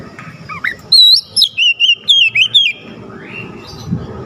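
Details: Oriental magpie-robin song intended to excite a bird that sings little: a rising note, then a string of about six loud looping whistles, ending in a soft upward slide.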